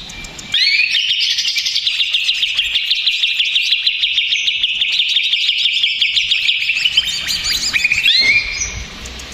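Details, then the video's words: Stressed, agitated male greater green leafbird giving a lure song meant to provoke other leafbirds: a loud, unbroken stream of rapid, varied high whistles and chattering trills for about eight seconds, ending abruptly, with no other sounds. "SUARA CUCAK IJO RIBUT !!! CUCAK IJO STRES, MACET BUNYI"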